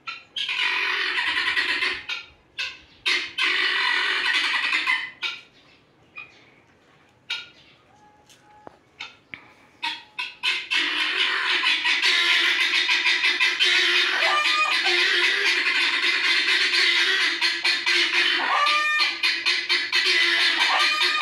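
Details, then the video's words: Guineafowl calling with scattered harsh squawks at first, then a long unbroken rapid rattling chatter of grating notes that continues loudly for the last half. "Guinea fowl sounds"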